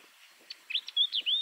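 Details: Yellow-eyed babbler pair calling: a few soft high notes build into clear, bright, slurred whistles, some rising and one level, each under a quarter second.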